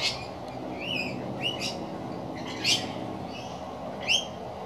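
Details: Playing rainbow lorikeets give grating, high screeches about every second or so, some as sharp rising-falling squawks, with a few louder shrieks standing out against a background hum.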